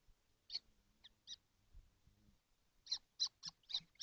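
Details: In a nesting box holding seven kestrels on a hot June 2025 day, a few harsh high chips, then a quick run of five loud rasping calls, with faint low rumbling between.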